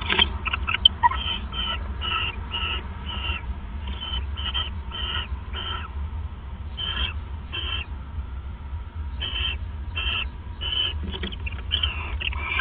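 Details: Owls bonding at the nest on a December 2014 night produce a long series of short, hoarse chirping notes, irregularly spaced and sometimes paired, above a soft steady hum.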